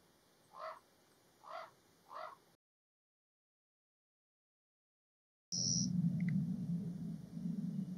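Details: A parent Common Raven, upset by a photographer's vehicle near its nest of nestlings in Alberta, Canada, in May 2022, gives three harsh, hoarse caws about a second apart, then a gap and low wind rumble.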